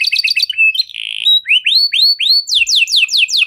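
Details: Canary delivering a 'cengkok mewah' luxurious song to stimulate other canaries: choppy chirps, a steady buzzy note, three clear upward-arching whistles, then a fast descending trill.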